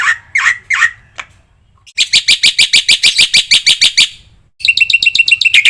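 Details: Black-winged myna training song packed with varied phrases: three slurred, buzzy notes, then a dense run of harsh, high chirps, and finally a fast string of sharp, bright chirps.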